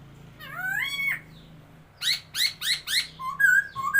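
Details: Laughingthrush, called a new bird, on 27 February 2022: a long rising whistled glide, a pause, then four rapid loud upslurred notes and short flat whistles, with a low steady hum underneath.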